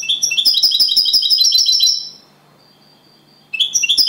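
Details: Copia Malaga singing style from a champion European goldfinch kept as an aviary bird: a fast, ringing run of high twittering notes fading out after two seconds, then silence, then a fresh trill starting.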